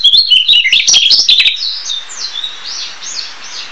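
A Narcissus Flycatcher sings a quick, loud run of high, clear whistled and chirping notes, fading after a second and a half into softer, thinner trailing phrases.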